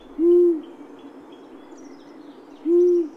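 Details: Long-eared Owl, likely a male, hooting early in the year: two deep, soft, clear hoots, each about a third of a second long, spaced about two and a half seconds apart over a quiet background.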